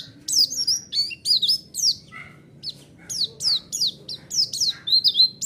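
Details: White-eye lure song meant to draw a reply from other birds: high, sharp chirps and short slurred downward whistles, repeated in rapid irregular bursts with brief gaps.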